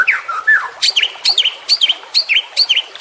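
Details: Short burst from a juvenile white-rumped shama: a few low whistles followed by four or five sharp, high chattering notes repeated evenly about twice a second.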